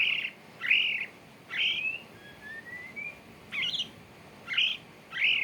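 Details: Courting male white-rumped shama giving short bursts of rich chirping notes about once a second, with two thin drawn-out rising whistles in between, over a steady hiss of background noise.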